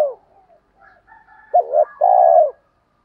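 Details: Spotted dove cooing to goad wild doves: faint soft notes, then one loud phrase of a short wavering note and a sustained low coo that fades at the end.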